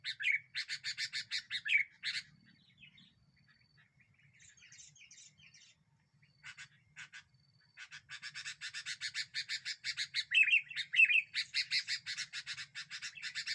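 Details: Sooty-headed bulbul in a bird-luring recording, said to anger other birds: fast chatter, a quiet gap with a few soft distant notes, then long loud bursts of rapid scratchy notes with short slurred whistles.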